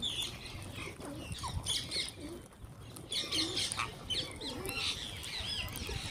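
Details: Wild green parrots calling while being fed: a chattering series of short, high, scratchy squawks and chirps, several overlapping, with a faint low rumble of background noise beneath.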